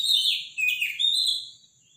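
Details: Morning Robin song, loud and strong: a short run of high, twittering warbled notes with a brief break in the middle, trailing off at the end.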